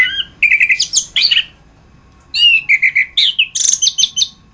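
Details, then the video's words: Chestnut-capped thrush (anis kembang, Geokichla interpres) singing in a master recording for training songbirds: two bursts of loud, varied whistled and chattering phrases with a short pause between, rapid repeated notes at the end of each burst. Quiet background. "suara anis kembang masteran"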